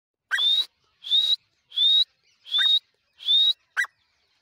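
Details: Grey francolin, called dakhni teetar, calling: loud shrill notes that rise and end in a high whistled upslur, repeated about every seventy hundredths of a second, five times in a row, with a short final note. No other sounds.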